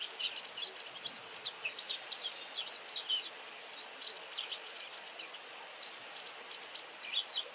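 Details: White wagtail calling very actively: many short, sharp, high-pitched chirps and ticks in quick, irregular bursts, some overlapping, over a steady faint hiss with no other clear sounds.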